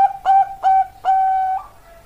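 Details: Bangkok-type zebra dove (perkutut) singing: three clear, steady whistled coos near one pitch, the last held long for about half a second before tailing off, with short gaps between notes.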